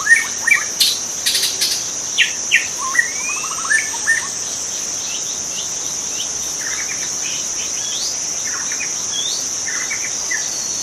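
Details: In its wild habitat, a white-rumped shama gives several sharp whistled notes and a quick trill over about four seconds, then falls quiet, leaving a persistent insect drone.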